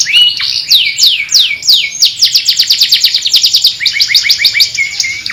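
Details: Master canary calling its friends and fighting delivers a long series of rapid descending slurred notes, accelerating into a tight repeated roll, ending with short rising whistles.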